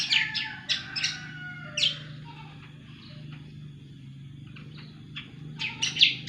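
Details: Cucak kombo singing actively: a rapid cluster of sharp, high notes and thin drawn whistles, a quieter pause, then a fresh burst of loud chirps, with a continuous low hum underneath.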